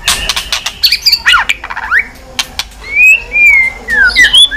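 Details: White-rumped shama, stimulated to sing while flicking its tail, giving clear whistled slurs that rise and fall between bursts of sharp dry clicks, then longer drawn-out whistles toward the end.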